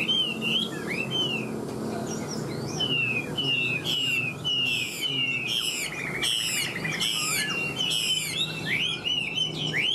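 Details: Chinese hwamei in a cage after a fresh moult, pouring out a rich, continuous, high warbling song of looping whistles and sharp upward flourishes, varied and energetic throughout.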